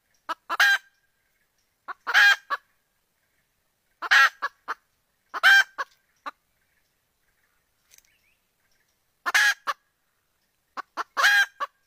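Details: Wild red junglefowl hen calling for a rooster, recorded 17 February 2021: five clusters spaced about two seconds apart, each a loud harsh nasal squawk framed by soft short clucks, with silence between.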